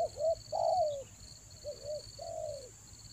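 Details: Spotted dove lure call for catching doves in the rainy season: mellow low coos in a short rising note, a long sliding falling coo, then a paired pattern, with a continuous thin high whine behind.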